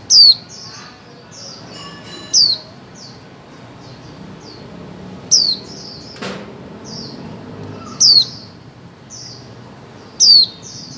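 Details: Female white-eye call meant to prompt mute birds into song: piercing downward-sweeping whistles with soft follow-on chirps, six loud bursts roughly every two seconds, a brief rustle midway.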